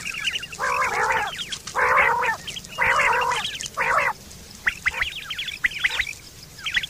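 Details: Quail (batair) in the morning: harsh, raspy bursts repeated about once a second, followed by a run of thin, quick chirping notes over steady background hum.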